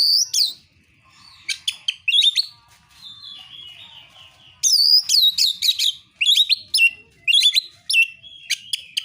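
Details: Oriental magpie-robin giving a narung fighting song meant to provoke rival birds into singing: bursts of sharp, harsh chirps and swooping whistled notes. Loud clusters come at the start and again in the second half, with a quieter stretch between.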